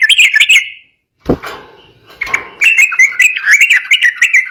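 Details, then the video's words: Sooty-headed bulbul singing agitatedly to provoke rival birds; rapid chattering notes, a pause broken by a low thump, then a sustained warbling run of slurred mid-pitched notes. "KICAU SUARA BURUNG TRUCUKAN EMOSI, BIKIN LAWAN LANGSUNG BUNYI"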